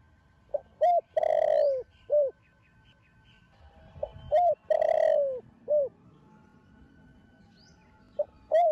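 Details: Spotted dove cooing in the thổ đồng style to rouse other doves: two full phrases, each a short clipped note, a hooked coo and a long sustained falling coo, then a closing short one, with a faint steady hum behind.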